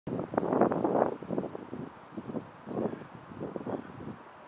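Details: Common moorhen in Tivoli Landscape Park, Ljubljana, on 27 February 2023, gives harsh, low croaking calls in a short burst, then two shorter calls a second apart, against a steady wind rumble.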